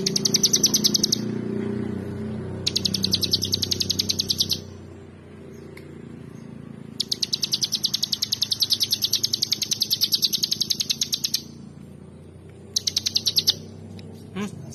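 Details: Bar-winged prinia singing vigorously in four bursts of rapid, sharp high notes, the longest about four seconds, separated by pauses of one to two seconds, with a faint low rumble underneath.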